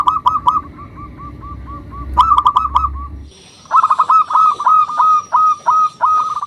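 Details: Zebra dove song used to provoke rivals: quick chains of short whistled coos, then a gap and loud stuttering bursts of rising notes, with a faint low hum early on.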